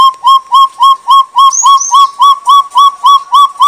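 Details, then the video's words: Sumatran partridge (Arborophila rubrirostris) lure call: a clear, slightly rising whistled note repeated steadily about three times a second, with a brief higher whistle partway through. "suara pikat puyuh gonggong atau puyuh hutan sumatera"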